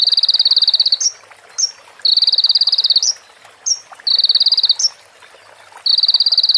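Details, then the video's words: Sunbird song from a training recording, said to be filled with female prinia and bar-winged prinia phrases: rapid, dry, buzzy trills about a second long, each ending in a sharp upward flick, alternating with short clipped notes against a quiet background. "MASTERAN KONIN FULL ISIAN PRENJAK BETINA SAMBUNG CIBLEK BREN JERNIH JEDA ORIGINAL DARI SUARA KONIN"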